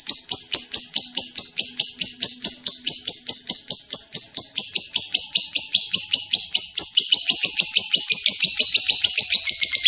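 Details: Long lovebird chattering made of sharp, ringing high notes at a brisk steady beat, the pulses growing quicker and more crowded near the end.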